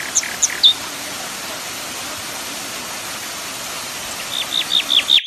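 A common nightingale gives a few sharp high chirps, then a quick run of five or six clear, falling whistled notes over the steady rush of a waterfall.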